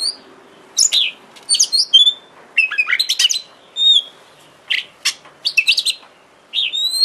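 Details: Oriental magpie-robin lure recording meant to provoke other magpie-robins to sing, giving rich, varied phrases of clear whistles, slurred upswept notes and harsh buzzy chatters in quick bursts with brief pauses between.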